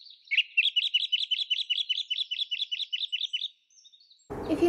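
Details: Song Thrush (Turdus philomelos) song, built of repeated phrases, gives a rapid run of about fourteen bright, clipped notes, four or five a second, held at one pitch, then cut off by a rough burst of noise.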